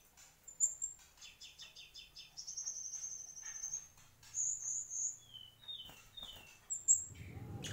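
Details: Song of a mangrove whistler, mixing rapid ticking trills, high clear whistles and three short descending slurred notes, ending with a sharp high note and a brief rustling thump.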